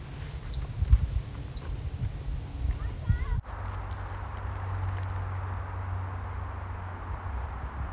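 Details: Eastern Kingbird in Massachusetts in July gives three sharp, buzzy, high-pitched sputtering calls about a second apart, then fainter thin notes over a steady low rumble of wind.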